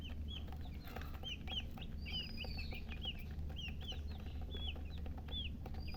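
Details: Baby chickens peeping steadily: many high, arched chirps that drop in pitch, repeated several times a second in overlapping runs above a constant low background hum.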